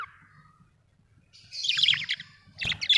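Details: Budgerigars, a group of birds, with a brief high descending note, then a dense, scratchy warbling chatter of rapid clicks and squeaks that pauses briefly and resumes, over a faint low hum.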